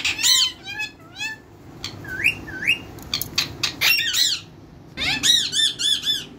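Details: Caged talking parrots imitating human speech with loud, harmonic, squawking syllables, a pair of upward-sweeping whistles, sharp clicks, and a final rapid string of nasal, arching calls.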